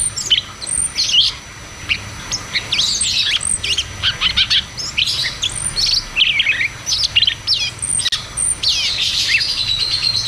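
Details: Cucak cungkok delivering ngeroll tembak song, used to prompt caged birds to sing again. Busy chatter of quick high whistles and downslurred chirps, with a wavering whistled phrase near the end.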